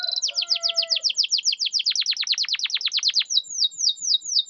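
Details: Canary singing as a lure to prompt mute or lazy canaries: a long, even run of quick down-slurred whistles that repeat steadily and deepen toward the middle, then higher, spaced sweeps. Faint steady lower tones sound briefly at the start.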